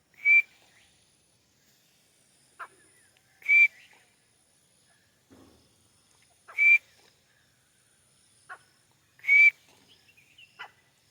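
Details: Grey francolin (white teetar) on a wall in Pakistan giving single clear, slightly rising whistled notes roughly every three seconds, with faint softer chips between them in an otherwise quiet setting.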